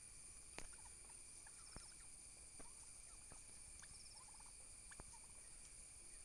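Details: Domestic turkey toms fighting for dominance: short, scattered rattling gobble bursts mixed with sharp clicks and knocks, over a steady hiss and a high, constant tonal hum.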